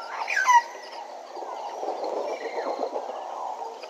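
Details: Bennett's woodpecker at Djuma gives a brief, loud nasal call that drops in pitch, followed by a softer, busy chatter of other bird voices.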